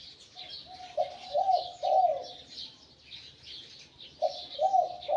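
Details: A decoy spotted dove taken from the wild, with a medium-to-large voice, coos in two phrases. A soft lead-in is followed by two rich, rolling low notes. Other small birds chirp continuously behind it.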